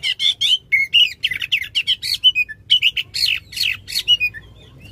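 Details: Oriental magpie-robin singing a loud, long-running song meant to stimulate a magpie-robin that has stopped singing, with rapid varied chirps and whistled notes repeated about twice a second over a faint low hum.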